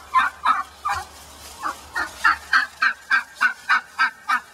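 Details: Hen upset at being let back among the flock that nearly killed her: repeated nasal turkey-like honks, uneven at first, then a regular series of about three per second.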